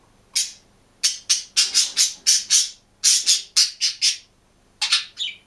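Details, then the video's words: Green budgerigar alone in its cage, bursting into harsh, scratchy squawks in fast runs of four to six, with short pauses between runs. "ПОПУГАЙ ПОЕТ И ЧИРИКАЕТ/ОДИН В КЛЕТКЕ/зеленый попугайчик"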